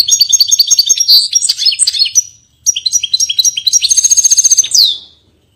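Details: Goldfinch from Portugal singing lively twittering song in two phrases, rapid high chirps and liquid trills, the second closing with a fast rattling series and a sharp falling note.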